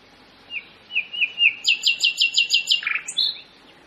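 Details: Common nightingale singing at Pitehno village, Mazandaran Province, Iran: a few separate whistled notes, then a fast run of about ten loud repeated chirps, ending in lower slurred notes.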